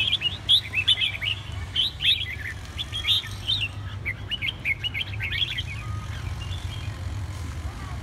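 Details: A red-whiskered bulbul from Hà Tĩnh province, Vietnam, delivers lively chirpy song: clusters of sharp, bouncing whistled notes in rapid groups during the first half, thinning to scattered phrases later, with a constant low droning background.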